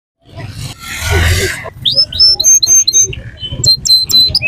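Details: Canary singing at the Sunday bird market in Quetta, Pakistan: after a burst of loud broadband noise, a run of bright, high whistled notes and short trills rings out, with music in the background.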